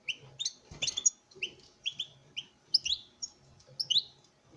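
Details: Captive-bred male European goldfinch courting a female, delivering lively chattering song of sharp liquid chirps and quick twittered phrases, with one brief rattling burst and faint low knocks in the background.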